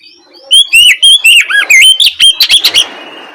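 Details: Afternoon ngeplong song of an Oriental magpie-robin, played to stir other magpie-robins into replying. Faint opening, then about two seconds of loud, clear whistled slurs and quick upward-swept notes, trailing off into a soft hiss.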